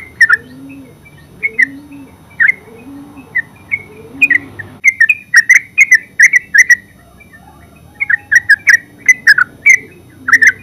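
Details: Yellow-vented bulbul, locally called terucuk, singing in the continuous ngeropel style: short bright chirping notes in quick bursts separated by pauses, with a low wavering hum underneath during the first half.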